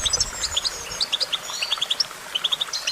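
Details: Song of a goldfinch: quick liquid chirps strung in bouncing series, some notes pitched higher and squeaky, with faint overlapping whistles behind.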